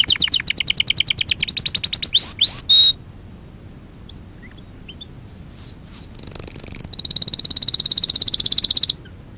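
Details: Canary singing for a young-canary training lesson: a fast high pulsed trill, three loud swooping upslurs, a quiet pause with faint chirps, several falling whistles, then a long bright rapid trill that ends suddenly.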